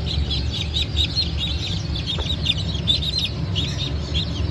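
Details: Domestic chicks from a 9 May 2024 hatch of Brahma, Phoenix, Sultan and Appenzeller breeds peep busily, bright chevron-shaped chirps coming several per second in a crowded chorus, with a persistent low hum behind.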